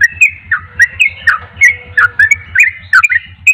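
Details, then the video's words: Javan pied starling singing vigorously, loud slurred whistles and harsh squawky notes delivered in quick succession about three per second, some rising and some falling, over a constant low mechanical hum. "trucuk anda pasti langsung nyaut gacor dengar trucuk ini"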